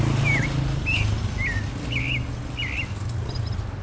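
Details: Five short slurred whistles from a clay-colored thrush, the yigüirro that is Costa Rica's national bird, each a quick twisting note spaced about half a second apart, over a heavy low-pitched background rumble.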